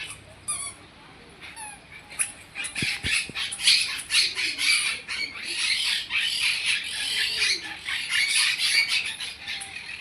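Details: At a bird park aviary in Trichy, harsh, grating parrot squawks burst out in quick succession, about two a second, as if crying to be let out, with a faint human voice underneath.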